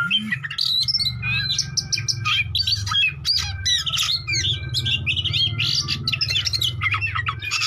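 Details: Rival-provoking lure song from an Oriental magpie-robin: continuous run of sharp chips, clear whistled slurs and scratchy warbles, varied and fast, over a persistent low droning hum.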